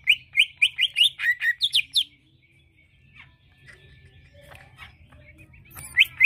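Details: Greater green leafbird lure song to get another bird to respond: a rapid burst of about thirteen chirpy, slurred whistles in the first two seconds, a quiet stretch, then two more notes at the end.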